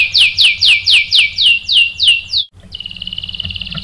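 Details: Canary lure song for provoking answering rolls: about nine evenly spaced downward-sweeping notes, roughly four per second, then a brief gap and a thin buzzy trill.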